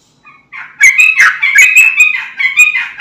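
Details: Sooty-headed bulbul song in an energetic singing style, used as a lure so a raw bird and a flock of bulbuls answer: a bubbling, chattering run of throaty notes after a short quiet start.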